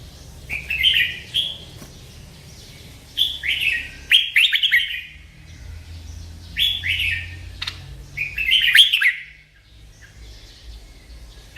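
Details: Sweet song of a merbah lekir bulbul: repeated liquid, bubbling phrases every couple of seconds, each a quick cluster of warbled notes, with occasional sharp clicks between them.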